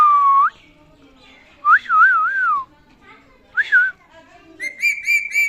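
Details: Pet ring-necked parakeet, a talking bird, giving clear whistled phrases: a steady tone rising at the end, then wavering up-and-down whistles after short pauses, and finally a quick run of harsh, bright repeated notes. Indoor setting.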